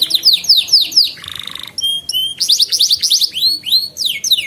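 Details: Belgian canary (Serinus canaria domestica), song: training young canaries to learn song and prompt singing.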